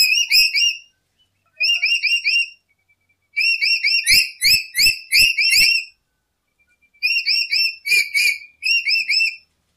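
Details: A lory, recorded for use as a lure, gives shrill, ringing whistled notes in quick bursts of repeated chirps with brief pauses between bursts; a few soft low thumps sound underneath.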